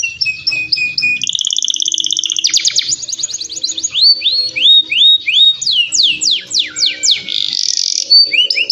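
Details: Canary singing energetically: rapid rolling trills lead into a string of quick rising and falling whistled sweeps and bright chirps, delivered about three per second, with faint low background hum.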